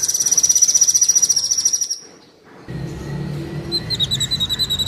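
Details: Kolibri Wulung sunbird, from a master recording for captive birds: a rapid high pulsed trill lasting about two seconds, a short pause, then softer high twittering over a low rumble.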